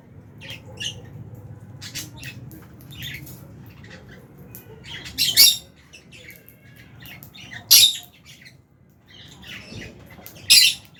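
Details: Fischer's and albino lovebirds in an aviary colony, eating food. Soft scattered chirps are broken by three loud, harsh, high squawks about every two and a half seconds over a low background hum.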